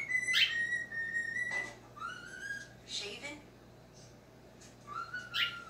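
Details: Pet talking cockatiel indoors, seeing itself on screen, gives clear flat whistled notes and a rising whistle between softer sounds, over a constant low hum.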